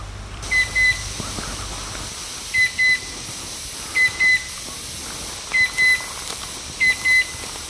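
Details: Chestnut-winged cuckoo recorded in May 2023 giving paired, flat, high whistles, a double note repeated about every one and a half seconds over a steady background hiss.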